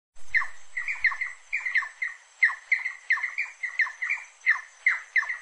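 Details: Rufous-necked wood rail song: harsh squawking notes with a falling tail, repeated in rapid doubled bursts about every half second, steady high hiss behind, brief low thumps at the start.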